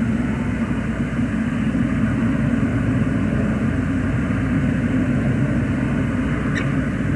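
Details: Loud, steady traffic rumble near a bridge dominates, deep and unbroken, with no clear animal calls.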